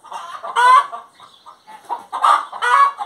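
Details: Hen singing, with rough, noisy clucking bursts: a strong cackle, softer broken clucks, then two more loud harsh cackles close together.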